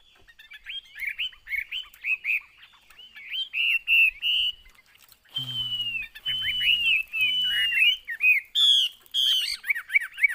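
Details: Song of a caged Chinese hwamei: chains of quick looping whistles, then long level and gliding whistled notes mixed with harsh buzzy bursts; a low droning tone sounds three times in the middle.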